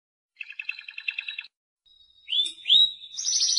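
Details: Timbrado canary (Serinus canaria): a soft even trill, silence, a faint whistle, two loud upswept whistled notes, then a high dense trill beginning.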